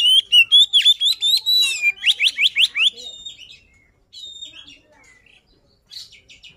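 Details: Oriental magpie-robin of the poci type giving a luring song: loud rapid run of whistled, sharply rising and falling notes, then a burst of steep upslurred whistles, quieter scattered notes and a short trill near the end.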